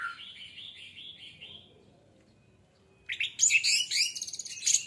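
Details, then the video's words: Orange-headed thrush used as a singing trigger: a wavering whistled phrase, a quiet pause, then an abrupt loud burst of very high, scratchy, twittering notes. "AMPUH UNTUK PANCINGAN ANIS MERAH MEMICU CEPAT BUNYI DAN GACOR!"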